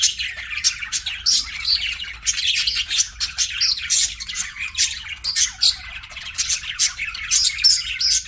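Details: Budgie chatter in rhythmic pulses: clusters of scratchy chirps and squawks separated by brief dips, repeating steadily throughout.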